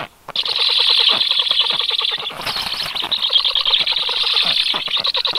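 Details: Stork chicks calling, recorded 18 July 2022: a dense, continuous chorus of harsh, rapidly pulsed rasping notes, loud and unbroken apart from a brief dip midway.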